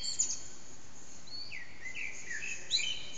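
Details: Early morning song of a common blackbird at about 4:40am, the bird unseen, in a backyard whose echo makes it loud, taken on an HTC Desire. Fluted, sliding whistles follow one another with brief high squeaky notes between them.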